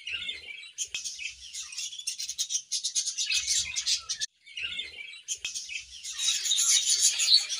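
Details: In an aviary one morning, a budgerigar pair warbles in rapid, buzzy chatter of high twittering notes, breaking off in a short pause midway before resuming louder and busier toward the end.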